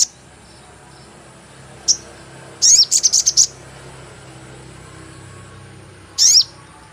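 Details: Sogon call used as a lure for catching birds: a brief sharp chirp, then a quick stutter of about six high squeaky notes, and another short burst near the end, with faint steady background hiss.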